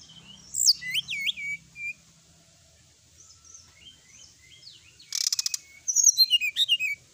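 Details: Sooty-headed bulbul 'gacor' song recorded at night: looping high whistled slurs, quiet soft notes, a sharp rattling burst, then lively rapid chirps and twitters over faint low murmuring.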